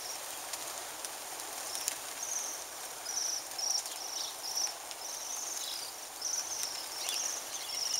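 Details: A winter flock of Bohemian waxwings descending on a mountain ash on Christmas Day 2010 gives a run of high, thin, buzzy trills, several overlapping, over a steady background hiss.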